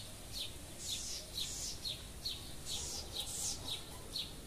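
House wren singing rapid, bubbly bursts of high chattering notes, repeated about twice a second.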